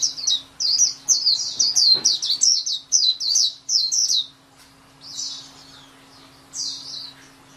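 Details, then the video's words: White-eye delivering a fast series of high, sweet, down-slurred chirps for four seconds, then pausing before softer buzzy phrases; a brief rustle and steady low hum in the background. "SUARA MAHAL KICAU BURUNG PLECI"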